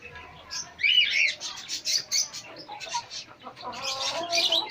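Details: Chicks and pet hens meeting: a loud run of bright, trilled peeps early on, then repeated shorter cheeps and softer lower clucking tones underneath toward the close.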